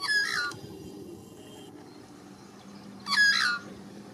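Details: White-backed Australian magpie in Australia giving its warble song: two short bursts of rich, fluty, gurgling notes with sliding whistles, separated by about two and a half seconds of quiet background hiss.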